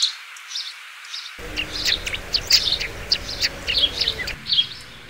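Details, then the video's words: Sparrow chirping: a run of short, bright chirps, some in quick clusters, with faint background hiss. "sparrow and sparrow voice"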